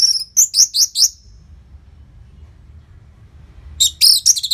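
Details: Orange-headed thrush song for prompting and tutoring caged birds: a whistle followed by four quick, rising, slurred notes, a silent stretch, then a dense burst of high scratchy notes.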